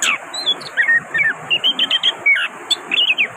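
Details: Orange-headed thrush, a songbird of Southeast Asian forests, singing: a run of short whistled and chirped notes, some rising, repeated at a quick, irregular pace over a steady background hiss.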